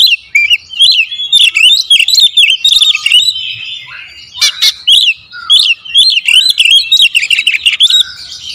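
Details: Oriental magpie-robin singing a rapid 'tembakan rapat' lure song: continuous wavering whistles and chattering notes tumbling quickly for over eight seconds, with one harsh burst midway.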